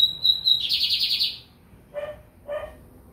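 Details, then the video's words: White-throated seedeater song from São Luís, Maranhão: three short high whistles, then a rapid buzzy trill lasting under a second. A dog barks twice afterwards. "BIGODINHO AMERICANO / 15 MINUTOS SÓ DE CANTO"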